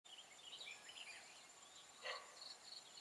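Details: Red-whiskered bulbul, a Mồng lân crested lure bird singing competitively during trapping in Hòa Bình, Vietnam, on 24 April 2017: short bright whistled warbling phrases, one sharp broadband burst near the end, over a steady high insect tone.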